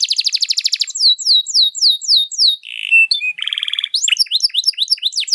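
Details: Canary with a long, varied song for training other birds opens with a rapid pulsed trill, moves to high sweeping whistles, a short buzzy churr and rattle, then lively rising chirped phrases.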